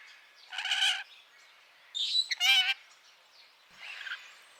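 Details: Parrot giving three separate calls, nasal and harmonically rich, each under a second long, with quiet gaps between them and a softer rasping note at the end.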